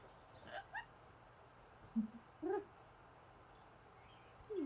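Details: Female Amazon parrot kept as a pet at home, in a cheerful mood, producing a series of short squeaks and whining notes, some rising and some falling, spaced about a second apart over faint room hum.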